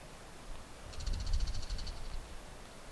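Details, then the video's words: Male Bull-headed Shrike trading calls with a rival male during a territorial dispute, Japan, early July 2014, perched atop a TV antenna or treetop: one fast train of high, harsh repeated notes lasting about a second, fading at the end. "Bull-headed Shrikes in Territorial Dispute モズ♂（野鳥）の鳴き交わし♪"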